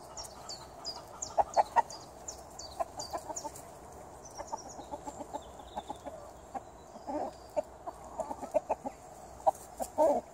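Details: Garden chickens keep up scattered, irregular clucking with a few louder drawn-out notes. High, thin descending whistles from small wild birds run through the background, especially early on.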